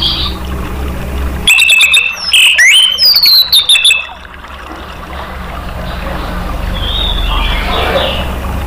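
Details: A burst of rapid whistled and chipping notes from an orange-headed thrush, used to stir other caged birds into song, followed by several seconds of hiss and low hum.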